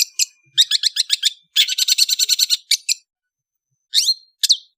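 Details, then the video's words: Indonesian long-tailed bird in afternoon song: a thin whistle, then quick series of sharp chirps building into a dense, grating chatter, followed by silence and two slurred whistled calls. "BEAUTIFUL AFTERNOON WITH THE SOUND OF INDONESIAN LONG TAILED BIRDS"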